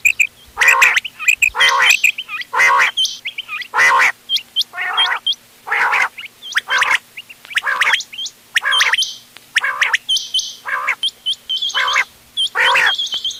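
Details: Several quails, mixed ghonge wal, doghla and changa types, recorded for hunting on 31 October 2025: harsh gargling bursts roughly once a second, separated by thin hooked chirps and some steady high tones.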